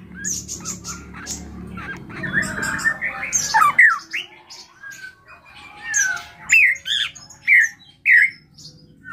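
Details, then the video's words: Drongo, called srigunting krantil locally, delivering a rich mixed song: a burst of chattering squawks, then clear whistled slurs repeated about once per second, with a low droning hum in the first half. "SRIGUNTING KRANTIL RAJA GACOR SANTAY FULL ISIAN MEWAH"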